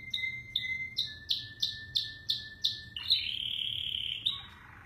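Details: An American Singer canary, a cross of Border and Roller canaries, sings a bright, high series of quick repeated notes, about three a second, then breaks into a rapid buzzy trill.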